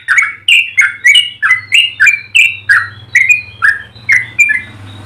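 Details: Yellow-vented bulbul singing a long, melodious run meant as a tutor or lure for other bulbuls: a steady series of short liquid whistled notes, roughly three per second, over a faint low hum.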